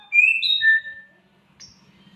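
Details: A samyong, a bird known for imitating odd sounds such as a mating cat, gives a few smooth high whistles, some overlapping and slightly falling, then a short faint chirp.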